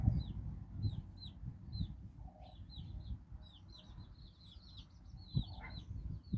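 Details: Chicks of a domestic hen, nine in all, exploring outdoors in Bizkaia, Basque Country; scattered high downslurred cheeps, busier toward the end, over heavy low-pitched noise.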